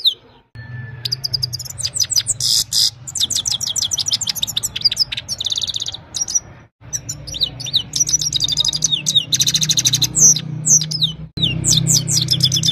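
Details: Himalayan goldfinch singing in the evening, recorded on a mobile phone: dense runs of high, rapid twittering notes and trills broken by brief pauses, with a steady low hum beneath.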